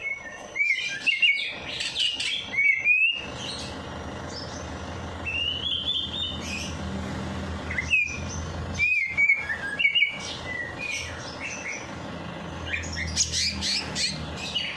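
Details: Bird singing after a night bath, used to stimulate lazy birds to sing: bursts of short whistled chirps and sliding notes, pausing between phrases, with a steady low hum underneath.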